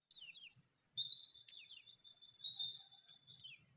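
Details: Oriental white-eye giving a rapid, very high song meant to prompt rival challenges; long strings of fast rippling trills and slurred notes repeated in three phrases with barely any pause.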